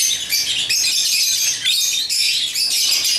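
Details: African lovebirds at play with toys, kept as pets, giving constant shrill chattering chirps with short whistled squeaks layered over one another, without pauses.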